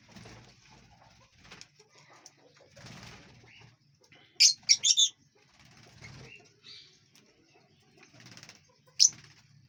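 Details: Lovebirds in a large aviary, eating and flying freely; a quick run of shrill, harsh high chirps midway and one sharp chirp near the end, over soft wingbeats and rustling.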